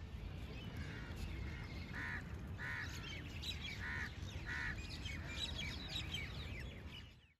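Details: Eastern cattle egret in Delhi, India, in December 2023, giving four short, harsh croaks in two pairs over a strong low rumble, a thin steady high whine and faint chirps of small birds.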